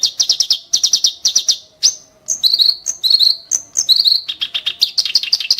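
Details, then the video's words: Kerak basi (clamorous reed warbler) delivering sharp, harsh song: bursts of four or five rapid high chips separated by short gaps, then buzzy, slurred whistles and a closing run of fast chatter. "burung KERAK BASI tembakan tajam & kasar"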